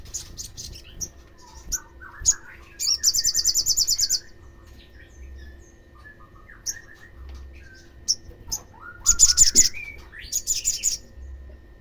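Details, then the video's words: Olive-backed sunbird (sogokontong) lure sound used to provoke other sunbirds into calling: high, thin chirps and fast buzzy trills in separate bursts, with short rising notes between them and gaps of near silence. "PANCINGAN EMOSI SOGON AGAR BUNYI || Suara ini bisa membuat sogon yang MENDENGARNYA JADI ikut BUNYI"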